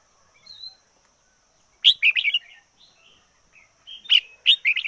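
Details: Red-whiskered bulbul decoy bird in intense, fiery song: a faint thin whistle, then two bursts of loud, rich, bubbling warbled notes, each a quick cluster of three or four chirps, about two seconds apart, with a steady high hum behind.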